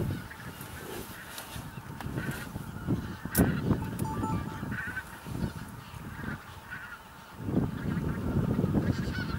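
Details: Thousands of bean geese in a field on Texel, Holland, in late November 2014; many overlapping honking calls form a continuous babble over a deep background rumble, with a brief sharp click partway through.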